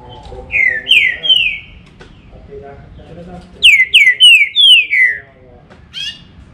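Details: Green-winged saltator (trinca-ferro) singing loud, clear whistled notes, each a slurred downward glide. A phrase of three notes is followed, after a pause with faint chatter, by a run of four, then one short final note.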